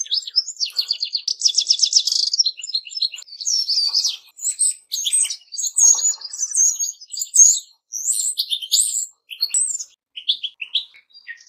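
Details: Lively goldfinch song, opening with a rattling buzzy trill and continuing as bright, high twittering phrases broken by short pauses over about eleven seconds.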